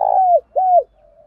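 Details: Spotted dove calling to draw in and fight another dove; two strong arched coos in quick succession, followed by a faint low murmur.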